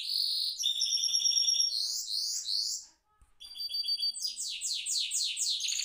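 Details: A goldfinch mule rolls in its cage, pouring out layered high whistles and rapid descending trilled syllables, a brief pause, then another bright run of fast repeated sweeps.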